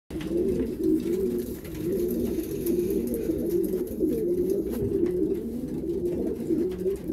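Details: Pigeons in winter, kept by pigeon fanciers during the mating season. Steady, overlapping low throaty cooing from several birds forms a continuous murmuring rumble, with soft rustling in an enclosed space.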